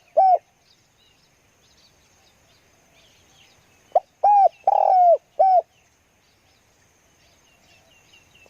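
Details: Spotted dove kept as a lure for wild doves. A clipped coo opens, then a full phrase follows: a short note, two hoarse coos, the second long and falling, and a closing short coo. Faint twittering sounds in the background.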